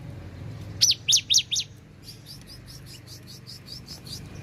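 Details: Cinereous tit in Takengon, Central Aceh, Indonesia, delivering four loud, high, arched whistled notes in quick succession, then a quieter run of about ten short repeated high notes, with faint low background hum.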